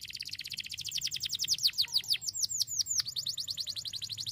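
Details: Fierce song of a Starblue canary: fast rolling trill of high, steeply falling notes, several per second, some longer swoops dropping lower midway, steady throughout with a faint low hum beneath.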